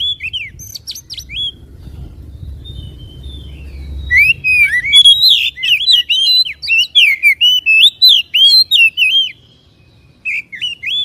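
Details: White-rumped shama song used to excite a caged bird and make it fan its tail: after a quiet start, a dense burst of rich, varied whistles and sharp twisting notes, then a brief pause and a final phrase.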